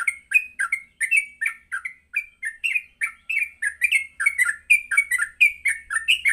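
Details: Yellow-vented bulbul, a lively morning song used to train captive birds to sing: rapid series of short bubbly, slurred whistled notes around mid pitch, phrases repeated steadily about three per second, no other sounds.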